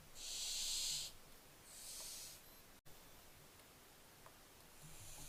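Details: Barn owlets, 15 July 2024, giving two harsh hisses, the first louder than the second, followed by a quieter stretch with a brief click and faint rasps.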